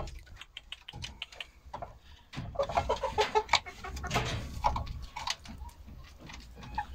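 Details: Domestic chickens on Monday, 10 October 2022, when eight eggs were collected; quick runs of short clucks and chattering notes, loudest in the middle, over rustling background noise.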